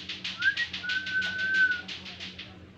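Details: Kaso-kaso bird, insect-eating, singing to prompt other birds to join in: a soft rising whistle and a long level tone, backed by a continuous chain of rhythmic buzzy pulses.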